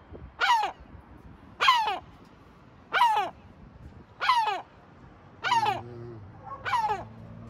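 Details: Sea gull calling at Batumi, Georgia: six regular harsh descending squawks roughly every one and a quarter seconds; a low humming tone appears near the end.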